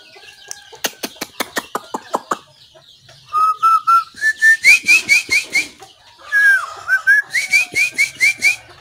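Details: White-rumped shama singing on 17 April 2024: a burst of rapid sharp clicks, then series of short whistled notes climbing in pitch and repeated about twice a second, the rising phrase given twice.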